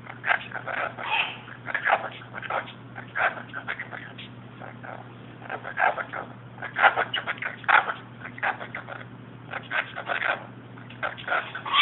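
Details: Pet parrot indoors, wound up and excitedly 'lecturing' in jibber-jabber chatter, caught on a cell phone: dense bursts of raspy, voice-like syllables and squawks in quick uneven runs, with a steady low hum underneath.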